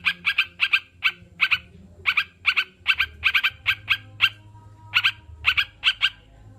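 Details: Sooty-headed bulbul calling in an irregular chain of crisp doubled chirps, some single, with uneven gaps. Recorded as therapy to reduce stress in kept birds and prompt them to sing. Light hum in the background.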